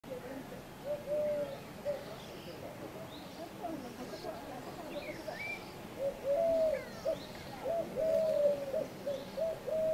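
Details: Eurasian collared dove (Streptopelia decaocto) at Le Mont-Saint-Michel, France, in May 2013, giving soft, low, hollow coos in short repeated phrases, with faint high chirps of other birds behind.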